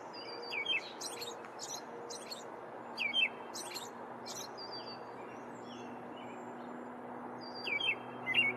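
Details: An American robin in the woods gives sharp, high chirps in quick bursts, with a pause midway. A steady low hum and hiss run underneath.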